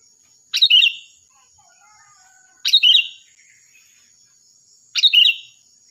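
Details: Lively sooty-headed bulbul, singing loud and shrill as a master voice for other birds: three bright, chattering phrases roughly every two seconds over a steady high hiss.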